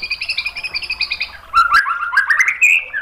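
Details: White-rumped shama singing as a provoking master track to rouse other birds: a rapid, steady stream of high chirping notes shifts into a louder, rolling series of varied whistles rising in pitch.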